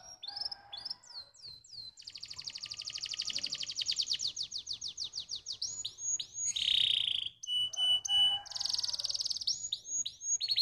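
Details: Canary song meant to stimulate other canaries: a long, varied run of rapid high trills and rolling phrases, sweeping chirps, sharp upslurred notes and steady whistled tones, continuous and loud throughout.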